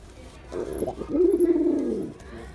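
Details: A single drawn-out male pigeon coo, low and tremulous, swelling after a short soft start and then tapering away.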